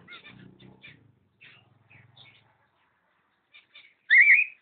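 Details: A pair of cockatiels, recorded 05.06.11: scattered soft chirps and low murmuring, then one loud whistled call that rises and wavers before falling away in the final half second.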